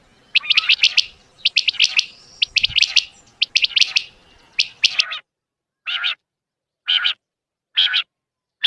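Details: Quail call used in hunting, Urdu batair: bursts of bright, clipped high notes in quick triplets for about five seconds, then four spaced, rougher, buzzier notes about one second apart.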